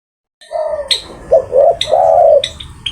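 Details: Spotted dove cooing vigorously: a drawn-out low coo, then short notes and a long rolling coo, over a hissing background with sharp high chirps from other birds.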